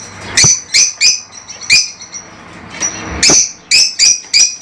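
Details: Lovebirds, small colourful parrots from Africa kept as pets, repeat sharp shrill squawks roughly every half second in short series, with a quiet pause in the middle.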